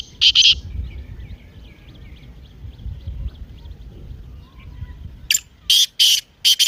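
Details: Partridge call, played so a kept partridge will start calling: one loud buzzy double burst, a quiet stretch with faint chirping, then four rough, harsh bursts in rapid succession.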